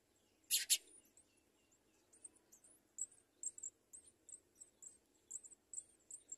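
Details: Two house sparrow chicks being fed by their parents: thin, very high chirps repeated quickly, about two to three per second, following a brief loud burst near the start.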